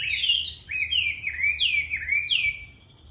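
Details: Chinese hwamei song at daybreak: four or five loud, clear, downward-slurred whistles, delivered roughly every half second in a quick, ringing series.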